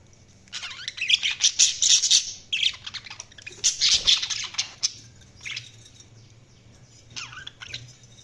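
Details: Budgerigars chirping and chattering in quick, uneven bursts of high twittering notes and short squawks, with brief pauses between phrases and a faint low hum in the background.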